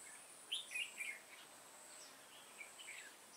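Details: Decoy red-whiskered bulbul at a trap luring wild birds, Vietnam, 28 September 2017; a quick run of three or four loud whistled notes near the start, then softer distant chirps under a high steady insect drone.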